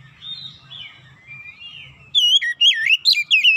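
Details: Oriental magpie-robin song played as a lure to get a reluctant magpie-robin singing. Faint, thin warbling notes come first, then from about two seconds loud, sweet whistles in rapid looping, up-and-down phrases.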